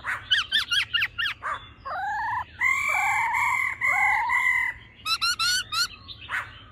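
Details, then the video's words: Female laughingthrush calling with a male in mature wild-style song, used to fire males up: rapid zigzag notes, warbled paired tones, long ringing flat notes, then another quick series, over a noisier background. "khướu mái ro +trống hót giọng già rừng.kích trống nhanh căng lửa"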